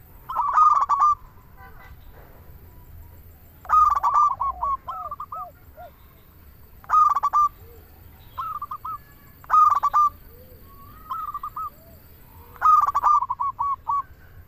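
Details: A local zebra dove sings in full voice to draw other doves into song. Loud staccato cooing phrases come about every three seconds, each trailing into softer repeated coos and lower curved notes. The background is quiet.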